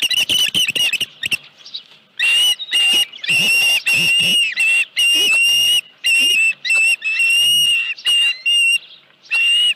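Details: Osprey at the Dunrovin Ranch nest, 31 July 2018, 9:43 AM, with a headless fish: loud, piercing whistled chirps in rapid bursts, each note sliding around a steady high pitch, repeated with short pauses throughout.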